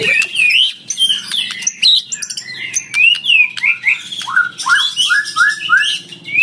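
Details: Oriental magpie-robin song luring and challenging an opponent. Loud, clear, rising whistled slurs are repeated in runs, set against dense high chirping and twittering.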